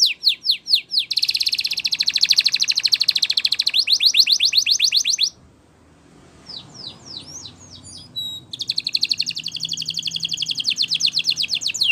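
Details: A canary, described as singing a Spanish Timbrado training song, sings long, rapid metallic trills, broken by a short pause with a few scattered high chirps before the rolling trill resumes.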